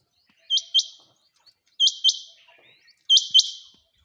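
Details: Three high, clipped double chirps from a female quail, each pair of quick notes repeated about every 1.3 seconds in otherwise quiet surroundings.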